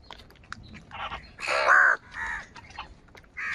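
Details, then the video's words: Many crows calling in the morning while fighting over food: a loud, harsh, drawn-out caw in the middle, framed by shorter, softer hoarse caws from other birds nearby. "Many Crows Crowing sounds and Crowing noises in the Morning"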